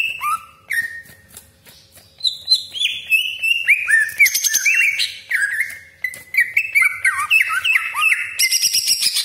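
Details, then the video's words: Greater green leafbird delivering long 'tembakan' shots with 'crecetan' chatter: separate rising whistles early on, then a busy stream of swooping notes and harsh raspy bursts toward the end. "CUCAK IJO GACOR DOR TEMBAKAN TAJAM BESETAN KASAR ROLL PANJANG FULL ISIAN"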